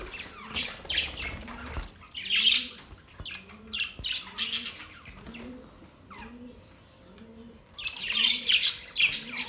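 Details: Australian parrots recorded October 10, 2023, giving harsh, raspy squawks in loud bursts with short pauses, over a soft, low, repeated cooing tone in the background.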